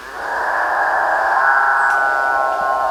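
A capuchinbird gives one long, drawn-out call lasting about three seconds. It starts rough and growling, then smooths into a steady, mooing, cow-like drone.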